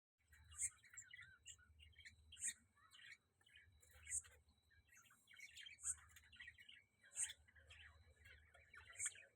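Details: During a feed exchange, a male budgerigar feeds a female while budgerigars chatter with sharp, high chirps recurring roughly every couple of seconds.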